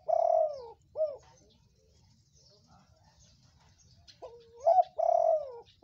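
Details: Reddish spotted dove, a chatty caller used to lure other doves to answer: two groups of gentle, husky coos, each a short upslurred note followed by a longer drawn-out falling one.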